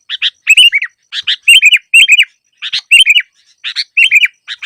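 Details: Sooty-headed bulbul song meant to draw birds to a trap, with loud bubbly whistled phrases of two or three slurred notes, interspersed with short chattering chirps, about one phrase per second.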